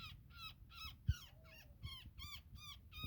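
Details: Distressed woodpecker tangled in a net while being freed, uttering a steady series of harsh, nasal, slightly downslurred calls about three per second, over low rumbling and a single sharp knock.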